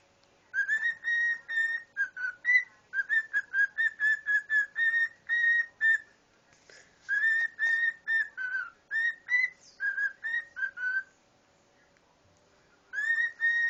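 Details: A male pet cockatiel, which sings song remixes, mimics microwave beeps and says its own name, whistles a quick run of clear notes near one pitch, pausing between short phrases.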